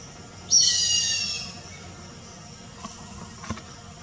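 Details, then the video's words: A grey hornbill gives a single shrill, squealing note lasting about a second, then falls quiet; two faint clicks follow against light background hiss. "Grey Hornbill Call"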